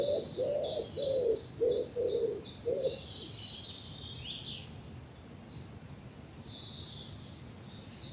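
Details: Spring dawn chorus in English bluebell woods: a low cooing call repeated about six times, then high twittering and trilled phrases from several small birds over soft woodland background.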